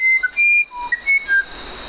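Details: Musician wren song: short pure whistles hopping between pitches in quick succession, including a lower sliding note, against a faint steady hum.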